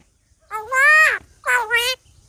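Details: Talking common myna mimicking a human voice: two speech-like bursts. The first is longer and ends in a falling slur; the second is a shorter double syllable. Both are clean and loud against a quiet background.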